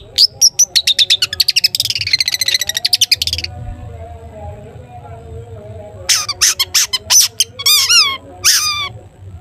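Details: Long-tailed shrike in full "toet toet" song, played to prompt other shrikes to sing: a rapid burst of high, sharp notes merging into a buzzy chatter, a pause, then loud separated whistles and downslurred calls over a faint steady hum.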